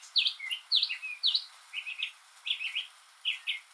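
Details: A northern mockingbird sings alone on a rainy day, imitating other birds and sounds. Loud, sharp, down-up whistled notes repeat three times, then come quicker trilled triple chirps, each phrase repeated before the bird switches.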